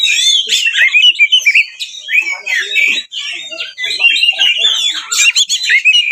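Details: Oriental magpie-robin singing a fighting-style 'ngeplong tarung' song full of varied material, meant to provoke rival magpie-robins into singing and opening their tails; a dense, continuous stream of high whistled, chattering and scratchy phrases with quick rising and falling notes.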